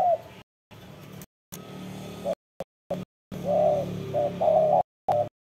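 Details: Spotted dove cooing powerfully: scattered deep coo notes, then a run of several loud, rounded hollow coos in close succession, broken by abrupt silent gaps, over a steady low background hum.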